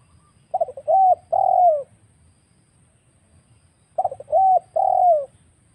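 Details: Wild spotted dove recorded as a lure for trapping birds. Two cooing phrases about three seconds apart, each a couple of quick clipped notes followed by two longer, smooth, slightly falling coos. Faint low rumble underneath, otherwise quiet.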